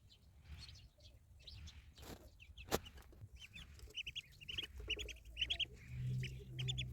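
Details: Ducklings in a village, many high thin peeps in quick overlapping bursts, rising in density toward the end, over a low rumbling background hum.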